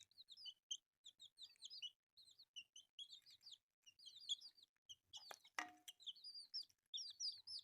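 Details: Colourful newborn chicks feeding on rice peep continuously in high, curved chirps, many birds overlapping; a sharp clatter sounds midway.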